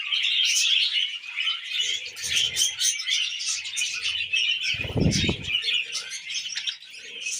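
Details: Pet budgies feeding on wheat germ chatter constantly in a busy stream of bright, squeaky chirps; a short burst of low fluttering or knocking comes near the five-second mark.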